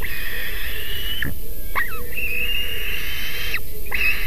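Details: White-tailed eagle at its nest in Latvia, 3 July 2020, as the male brings a small fish, filmed by a live nest camera: drawn-out, thin whistled tones held for over a second, broken by short sliding notes, over steady low rumbling noise.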